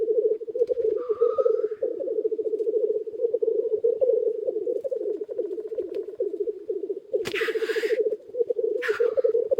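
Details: Many black grouse cocks lekking near a hide in early spring: an unbroken, bubbling low rookooing chorus runs throughout, broken by a sharp hissing sneeze near the end and another shortly after.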